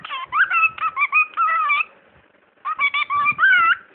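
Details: A pet talking bird mimicking human speech: two bursts of chattering, word-like syllables with gliding, nasal tones, separated by nearly a second of silence, in a small indoor room.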